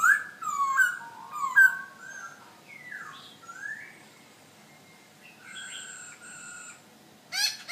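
A black-throated laughingthrush sings loud, rich whistled phrases that slur up and down, broken by a few rapid chattering notes and brief pauses.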